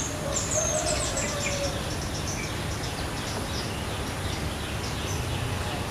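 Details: A wild female flowerpecker in a sunny rural village garden in the late morning gives thin, very high, sharp ticking notes in a short burst, then fainter scattered chips, over steady low rumbling background noise.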